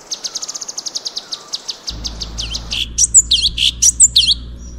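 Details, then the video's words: Orange-bellied Leafbird (cucak cungkok) in 'full tembakan' song style: a quick train of high, even chips, then louder, varied whistled and slurred notes with a low steady hum underneath. "Birds Song Cucak Cungkok FULL TEMBAKAN"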